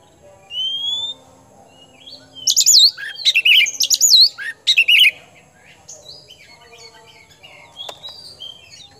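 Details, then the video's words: Oriental magpie-robin of the kemben type, described as a hot-tempered, vigorously singing bird: a single rising whistle, a pause, then a loud burst of rich, varied warbled phrases with looping high notes, fading to faint scattered chirps. "KACER KEMBEN TIPE PANAS GACOR POSTUR MENAWAN"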